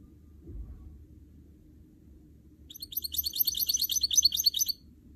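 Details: Canary and goldfinch hybrid (goldfinch mule), a trained singing bird, delivers a two-second burst of rapid, high, twittering notes after a quiet start with low room hum.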